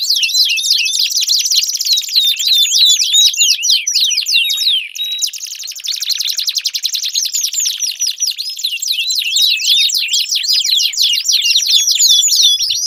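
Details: Canary in full, extended song used to get a silent canary singing: quick rolling trills and slurred whistles, shifting midway into a steady buzzy rattle before returning to sharp looping notes.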